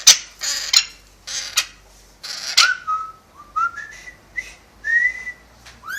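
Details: Pet parrot indoors that whistles tunes and wolf whistles: several rough squawk bursts, then a sequence of clear whistled notes rising in small steps, with a final upward slur.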